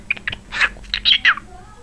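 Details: Brief burst of scratchy chirps and a harsh squawk from a talking pet cockatiel, several quick rough notes ending in a falling whistle, with a person's voice in the background.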